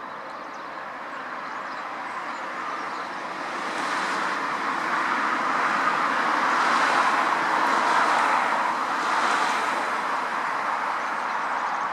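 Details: A steady broadband roar of passing traffic swells and fades, with no clear animal calls.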